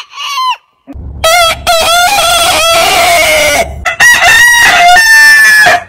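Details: Rooster crowing twice: a long drawn-out crow with rich harmonics that holds steady, then falls away. A short break follows, then a second crow. A brief higher call comes before the first crow.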